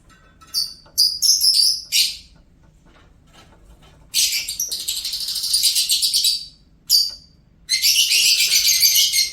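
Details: Singing pet lovebird delivering bursts of shrill, grating chatter: a quick series of sharp squeaks, then a two-second buzzy twittering run, a single squeak, and another long rasping chatter, separated by short silences.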